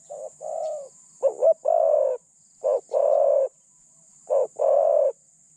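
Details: Decoy spotted dove from Thailand, used to lure wild doves, calling in deep, mellow coos. A clipped note leads into a longer drawn-out coo, and the phrase repeats roughly every one and a half seconds over a constant high hiss.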